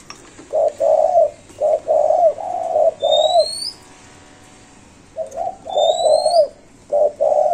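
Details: Spotted dove cooing in its five-note pattern, 'cục... cu cu...cu ...cu'. Two loud phrases of low, hollow, rounded notes are separated by a pause. Thin, high rising whistles from another bird are heard faintly above.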